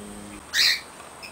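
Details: A female pet short-billed (little) corella, in her cage using a foraging wheel toy, gives a single short, harsh screech, loud and grating, lasting about a third of a second against a quiet room.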